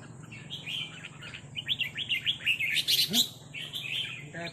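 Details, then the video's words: Red-whiskered bulbuls trading rik calls as resident territorial birds confront a newcomer: rapid chirpy, slurred notes in quick bursts, rising to a louder, dense flurry midway, over a steady low hum. "นกกรงหัวจุกร้องริกตอบโต้กันมันๆ โดนนกเจ้าถิ่นรับน้องจัดหนัก"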